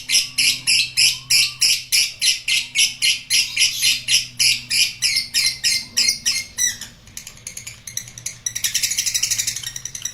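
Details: Long ngekek trill from a lovebird: steady bursts of scratchy high chatter about three times a second for seven seconds, then a looser, noisier stretch of squeaky twittering, over a low background hum.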